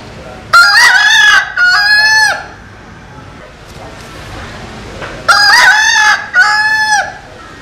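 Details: Rooster crowing, from a compilation of Vietnamese cocks and American Sil roosters: two loud harmonic crows, each a short opening burst followed by a long sustained drawn-out phrase, separated by a few seconds of quiet background.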